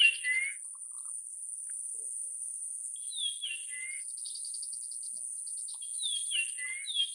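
Japanese grosbeak giving clear, fluty whistled phrases that slide down then up, three bursts a few seconds apart, over a steady high insect drone.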